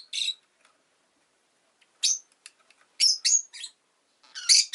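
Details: A pet rosy-faced lovebird makes a string of piercing, rasping chirps, first one single note, then a quick run of three or four in close succession, ending in a louder harsh burst.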